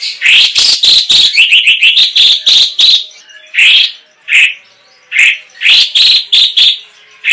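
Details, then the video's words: Chinese hwamei in a long rolling song with sharp, rapid shots: dense runs of loud, ringing whistled notes in quick succession, then spaced single phrases with short gaps. "CUNGKOK TEMBAKAN PEDAS / Ngerol Panjang Nembak Pedas durasi panjang"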